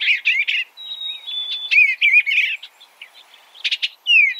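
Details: Eastern bluebird giving quick bursts of warbled, chattering notes, with a long thin steady whistle running through the middle and a final falling slurred note; no other sounds heard.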